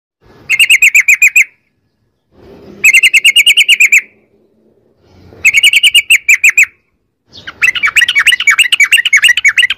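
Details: Sooty-headed bulbul in long rapid-fire 'ropel' singing, played as a lure so caged bulbuls answer: three fast buzzy rattling bursts of evenly repeated notes, each about a second long, then a denser chattering run.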